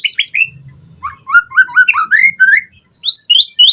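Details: White-rumped shama song from a lure recording used to train captive birds: a fast run of whistled notes that slur and rise, some falling, jumping between low and very high pitches, with brief pauses.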